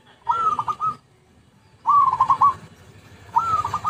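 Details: Zebra dove, recorded as a lure, gives three rolling coos roughly every one and a half seconds; each phrase starts with a rising note and breaks into a fast pulsing trill.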